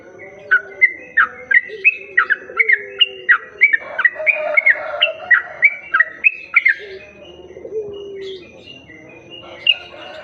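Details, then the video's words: Used as a lure for other bulbuls, this sooty-headed bulbul song pours out quick, evenly paced sharp whistled notes for about seven seconds, then fades into softer scattered chirps and background twittering. "Pancingan burung trucuk"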